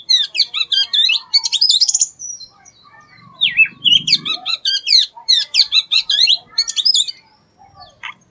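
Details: Loud, unusual song of an Oriental magpie-robin, called doyel in Bengali: rapid runs of crisp, repeated chirping notes and swooping whistles in phrases, with a brief low rustle in the middle.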